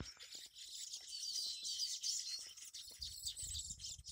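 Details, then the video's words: Many Baya weavers chattering at their colony, more than fifty nests on a single tree in the monsoon season; a steady wall of high, rapid twittering, with low rumbling background noise toward the end. "Baya weaver birds nest . Birds sounds rhythm"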